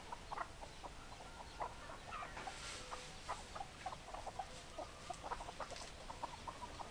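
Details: A flock of chickens clucking together. Brief, clipped clucks from many birds overlap in a busy, uneven patter, a few ringing slightly higher and louder, with a faint steady background hiss.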